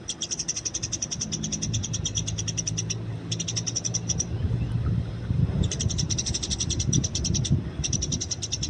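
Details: Free-living Eurasian tree sparrow, described as fighting: several quick series of sharp high chirps broken by gaps, over a low droning hum and a rumbling background.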